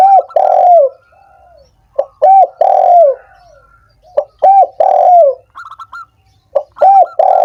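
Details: Spotted dove calls meant to rouse sluggish doves into calling: repeated low mellow coo phrases, short notes leading into a long falling coo, with faint higher chirps between phrases.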